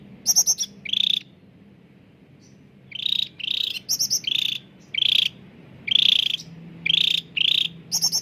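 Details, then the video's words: Lure song of a caged cucak ranting bulbul for hard-to-start birds: bright high squeaky notes, then a run of buzzy chirps in quick pairs and triplets, clear and loud over a faint hum. "CUCAK RANTING GACOR SUARA JERNIH UNTUK PANCINGAN YANG SUSAH BUNYI"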